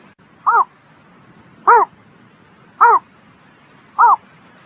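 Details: Bird on a spring morning repeating a short, hoarse, rising-falling note four times, roughly every 1.2 seconds, against a quiet background.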